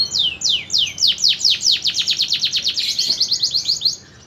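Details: Canary described as a promising songbird, singing a fast series of descending whistled sweeps, about five per second, slowing slightly then speeding into tighter repeated notes before stopping near the end.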